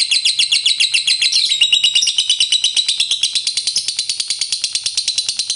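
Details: Fighter lovebird giving extended ngekek chatter to prompt other lovebirds to sing: a nonstop stream of high, scratchy, pulsing notes, loudest early, then a steadier rhythmic rattle.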